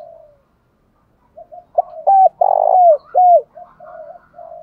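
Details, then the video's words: Spotted dove cooing to provoke fighting, a call for rousing wild doves and training decoys; after quiet murmurs comes a loud phrase of clipped notes, a drawn-out buzzy coo and a sliding, downward final note. "Tiếng thúc đấu/ chim cu gáy kích bổi và tập mồi hiệu quả, mở lên bổi gáy cả ngày, cu đất thúc đấu"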